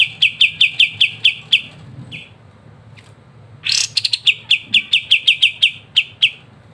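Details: White-shouldered triller (kapas tembak), sung as crisp, lively master song for training songbirds: rapid high clipped notes in runs, a short gap, then a sharp upward flourish leading into another quick, ringing series.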